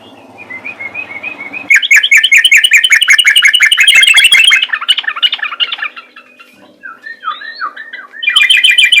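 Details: Fighting sooty-headed bulbul (trucukan), ropel style: a soft string of whistled notes over faint background noise, then a loud, fast chatter of repeated sharp notes, a quieter stretch of slurred calls, and a final burst of rapid chatter.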